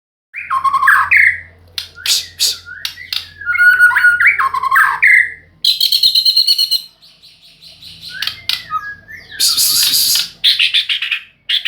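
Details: White-rumped shama singing a varied song of rich slurred whistles mixed with buzzy rattles and harsh bursts, delivered in rapid phrases with brief pauses; a low steady hum sits underneath.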